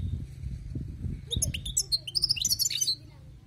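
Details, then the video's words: Wild-caught European goldfinch giving a lively run of high, liquid twitters and clear tinkling notes for about two seconds, after soft low rustling and thumps. "أسمع وركز على المقنين الخلوي كيف يغرد"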